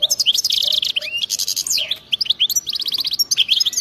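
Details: Wild-type (khalwi) European goldfinch song with batbata bursts, meant to set other goldfinches singing; continuous fast twittering, metallic rattled trills and sweeping slurred notes in quick succession.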